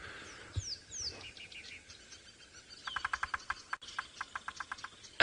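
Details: Bearded woodpecker at Djuma Game Reserve, Sabi Sand, South Africa, on a sunrise drive around 7:30 AM on 25 Feb 2018, gives a series of sharp, evenly spaced knocks on a hollow tree as a territorial signal.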